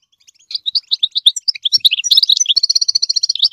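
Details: Goldfinch song aimed at teaching chicks: varied high chirps and twitters that quicken into a rapid, steady, tinkling trill, bright and continuous throughout.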